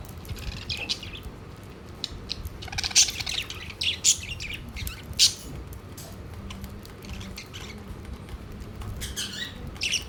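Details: Budgerigars kept as a family of pets crowd around an empty-looking food plate, giving scattered sharp chirps and a few louder squawks about once a second over steady low household noise.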